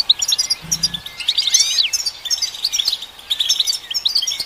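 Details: European goldfinch song for stimulating goldfinches: quick high chirps, then a burst of swooping slurred whistles and buzzy trills, with a short low hum early on.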